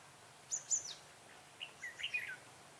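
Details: Decoy red-whiskered bulbul on a trapping outing, 6 December 2016, giving a pair of high sharp notes and then a brisk run of slurred chirping warbles, with quiet hiss behind.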